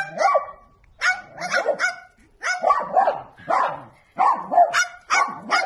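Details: Small bird giving dog-style barks: loud, scratchy yaps in pairs and triplets, about ten in all, at irregular spacing.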